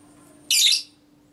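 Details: Female lovebird ngekek, a training sound for provoking other lovebirds. A single brief, very shrill, harsh screech stands out against a quiet background with a low hum.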